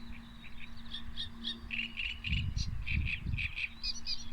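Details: Birds recorded on 23 May 2022 give quick, high, chirping and whistled notes, several per second in loose runs. A steady low hum runs beneath them, with a short burst of low rumbling near the middle.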